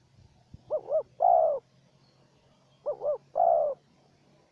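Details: Spotted dove calls in a duel between a wild bird and a trapping decoy: two phrases of a short two-beat coo followed by a long, strong coo, over a faint low hum, with a click near the start.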